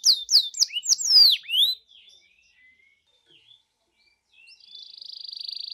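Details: Canary song played as a lure to get a canary singing: a short burst of sweeping high notes, near silence with faint soft whistles, then a thin fast trill fading in.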